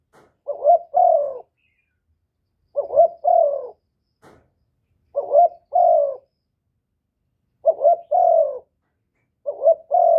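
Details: Spotted dove, a kept bird, calling to provoke rival doves into answering; clear low cooing phrases of a short double note followed by a longer slurred coo, repeated about every two seconds, five phrases, quiet background.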